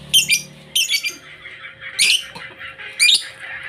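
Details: Blue ice lovebird giving harsh, high squawks and chattering notes in short bursts about once a second, with a faint steady hum behind.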